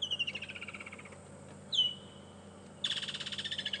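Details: Woodland Kingfisher, a summer visitor that calls noisily from early morning, giving its distinctive call on an afternoon safari drive at Djuma and Arathusa, 14 December 2014; a loud high note, then a fast rolling trill slowly dropping in pitch over a faint low hum.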